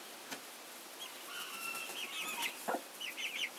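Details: Hen with chicks: drawn-out high piping peeps from the chicks, some held and wavering, followed by quick clustered chirps near the end, with a brief low soft sound in the middle.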